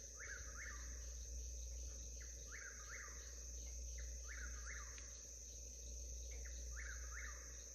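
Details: Southern whippoorwill on a homestead in the historical Alabama Black Belt: about four three-part phrases, each a brisk rising-falling whistle, repeated roughly every two seconds. A steady high insect drone and low rumble run underneath.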